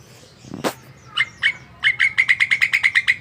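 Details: Javan myna in lively song: a loud broadband click, then harsh chattering notes that settle into a fast, even run of buzzy repeated chirps, about six per second.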